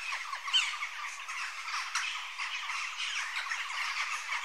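A busy flock of western jackdaws gives short, sharp, downward 'chak' calls in a dense, overlapping chatter, with a louder squawk near the start.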